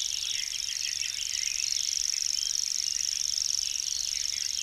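A common grasshopper warbler reels without a break, a high, fast, insect-like ticking trill held evenly throughout, with softer chatter from other birds beneath.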